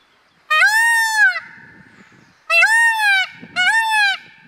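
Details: Male blue Indian peafowl screaming during courtship, filmed at close range: three loud, harmonic, nasal wails, each about a second long and slightly arched in pitch, separated by short pauses, with faint rustling between calls.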